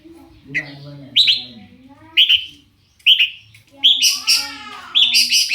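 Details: Long-tailed Shrike singing to provoke other shrikes into answering; clear high whistled notes spaced about a second apart, then a loud harsh, buzzy chatter near the end, with a faint low murmur early on.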